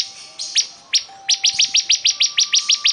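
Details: Bar-winged prinia giving an energetic song: a few spaced high chips that speed into an even run of sharp, bright notes, roughly seven a second, with a thin steady background tone.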